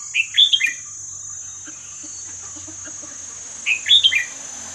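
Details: A red-whiskered bulbul delivers the 'hua khrok khayao khuat' song, played so young birds can learn it: two clear phrases of three or four chirpy whistled notes about three and a half seconds apart, with a faint steady high tone behind.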